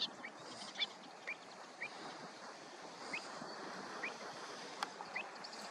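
Pied avocet giving short, clear, fluty notes, about eight in six seconds at an uneven pace, over a steady background hiss of wind or water.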